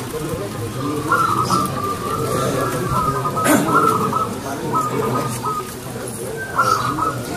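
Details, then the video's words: Local perkutut, the zebra dove, singing actively with a clear, ringing voice: several short rolling coo phrases spaced a second or two apart, over persistent low-pitched background noise and a brief knock. "PERKUTUT GACOR SUARA KRISTAL"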